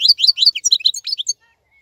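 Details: Brief burst of wild European goldfinch song, sung while other birds are moulting: about a dozen quick, bright, bouncing high notes, then silence.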